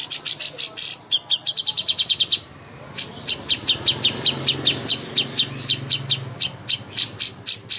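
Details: Master song of a greater green leafbird for bird contests: a rapid rattling run of high notes, a brief gap, then a long series of sharp chirps, with a soft low hum underneath.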